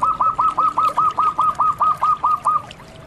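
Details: A zebra dove, a local bird used as a master-song recording for training other doves, sings a quick run of about twelve soft, mid-pitched cooing notes, nearly five a second, ending abruptly over faint background hiss.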